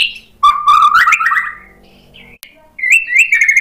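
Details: White-rumped shama song used to lure other birds into answering: a low buzzy whistle rising into a quick warbled phrase, a pause, then a bright whistled run of wavering notes.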